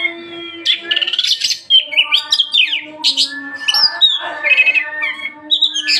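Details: Oriental magpie-robin singing rich, quickly changing phrases of high whistles, slurred notes and rasping trills, with a soft steady drone underneath.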